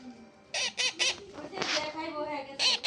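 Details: Young pet parrot making a rapid run of three raspy squawks, then a noisy burst and two more harsh "chi chi" notes.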